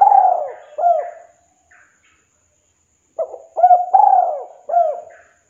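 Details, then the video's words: Spotted dove, locally derkuku or tekukur, kuk 2 call used to lure and challenge a rival; two bursts of gentle, hollow coos separated by a quiet pause, the second a clear run of short notes and long falling coos. "Suara Tekukur/Derkuku KUK 2 Memanggil Lawan, Pancingan Burung Tekukur Derkuku"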